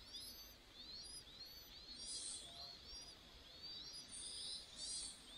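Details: Nest scene of two Chinese hwamei adults feeding young, the female taking the food from the male to feed them herself: steady stream of high, squeaky, arched chirps with short breathy rushes near the end.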